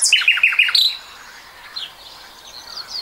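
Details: Common nightingale song recorded in 2020: opens with a loud series of four or five short rising notes and a high flourish, then fades into softer twittering from other birds.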